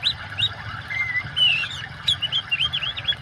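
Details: Short stretch of oriental magpie-robin song combined with water sound for therapy of non-singing birds: a long level whistle, then rapid upturned and downturned whistled notes in a quick run, over a soft continuous water hiss.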